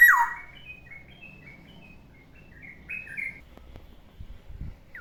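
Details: Morning song of a caged black-naped oriole: a strong downslurred fluty whistle opens, followed by quieter, hurried chattering notes and faint low thumps.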